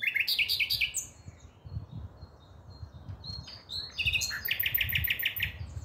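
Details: Common nightingale singing on 5 May 2023, with a rapid pulsed phrase at the start, a quieter stretch of soft chips, then another loud run of quick repeated notes near the end.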